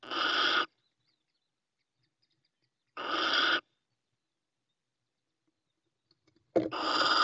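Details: Female Little owl calling from a nest in Ávila, Spain, producing harsh, noisy hissing bursts of over half a second, repeated about every three seconds, the last one louder and more abrupt.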